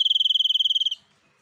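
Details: White-breasted sniper bird singing gacor, a loud, rapid, high-pitched pulsed trill held for about a second before stopping abruptly, then near silence.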